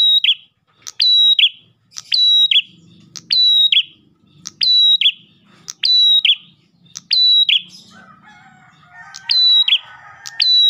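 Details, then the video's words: Ash tailorbird singing continuously as a lure. Long run of phrases, each clicked, a level high whistle and a buzzy descent, about one per second. Faint low rumbles and, later, softer chattering in the background. "PRENJAK GACOR pancingan burung prenjak lain"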